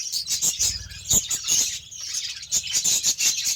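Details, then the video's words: Caged budgerigars being fed beetroot: a dense, continuous high chatter of chirps and warbles from several birds, with sharp clicks and taps throughout. "BUDGIES SOUNDS"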